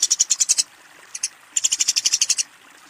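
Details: Fighting Eurasian tree sparrow calling a rival: short bursts of quick, sharp, high chirps, a brief run, a pair of notes, then a longer rapid volley of about ten chirps.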